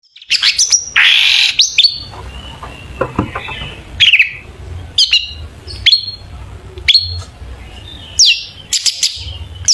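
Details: Long-tailed shrike singing lively, full of varied fill-in phrases, used as a lure to make other shrikes sing: sharp high downslurred notes and short bursts separated by pauses of about a second, with a soft low hum behind.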